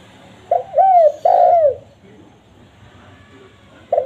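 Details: Spotted dove coos used as a lure: a short opening note, then two mellow arched coos dropping in pitch. The phrase lasts about a second and a quarter, followed by a pause before another begins.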